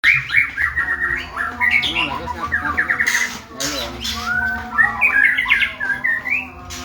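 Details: Male white-rumped shama in training, giving loud varied song of squawky notes, rising whistles and rapid chatter, with broadband bursts and some harsh noise around the middle.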